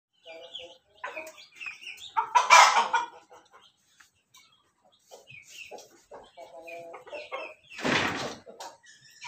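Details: Loud crowing of an ayam ketawa (laughing chicken): short stacked harmonic syllables in quick bursts, with a loud rasping call near the middle and another toward the end, and other fowl clucking and chirping around it.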